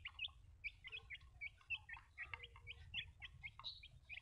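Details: Small baby chicks giving rapid overlapping high cheeps, several a second, with faint lower notes and steady low background rumble.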